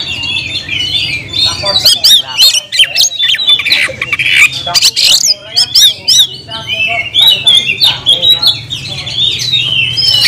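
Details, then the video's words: Caged oriental magpie-robin in full song, described as nagen sampe leklok, delivering loud varied whistles and harsh squawky notes around mid-high pitch, with rapid bursts and sweeping phrases; low steady hum underneath. "kacer gacor nagen sampe leklok"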